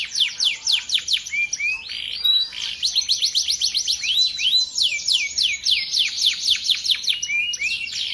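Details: Male canary, a competition champion, singing continuously: fast trills of descending sweeps, varied rolling phrases and high chirps delivered without pause, rich and energetic throughout.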